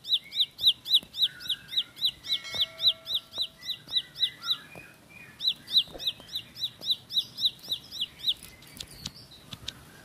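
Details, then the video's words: Rapid roll-style song of a bar-winged prinia: a steady stream of bright, high, down-curving notes about four each second, with short breaks and a few lower chirps scattered between. "Tembakan Roll Spead Ciblek Lagu Full Kolibri // Ciblek Sawah/Ciblek Pari"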